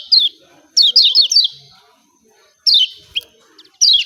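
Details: Lemon-bellied white-eye from Lombok giving its excited "ciak ciak" call, used to prompt reluctant birds into singing. High, sharp chirps sweep downward in quick clusters of two to four, separated by short silent gaps.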